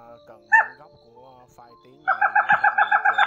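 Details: A crake, recorded as a night net-trapping lure with male and female calling, gives a single harsh note, then a fast run of about nine nasal, even-pitched notes, several each second, over a faint hum.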